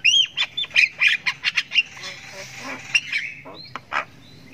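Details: Long ngriwik from a Javan myna chick (jalak kebo sultan) that is learning to call: a fast string of loud scratchy chirps fades into softer, drawn-out rasping.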